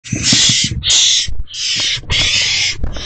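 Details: Wild owls in a nest box on 16 March 2024 at 8:26 pm, when a mouse is delivered. Four loud, harsh hissing bursts, each about half a second long, follow in quick succession, with soft low thumps and rustling underneath.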